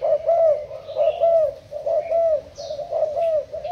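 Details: Spotted dove kept as a Thai-type decoy bird, recorded 10 April 2018: low, mellow coos repeated roughly once a second, overlapping into a steady throaty cooing with faint higher chirps in the background.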